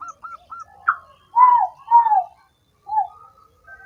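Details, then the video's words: Spotted dove calls used to stimulate doves that are lazy and slow to sing: soft, low coos sliding downward in pitch, two longer ones close together then a shorter one, with short hooked chirps from another bird around them. "suara PERANGSANG burung tekukur yang malas dan macet bunyi"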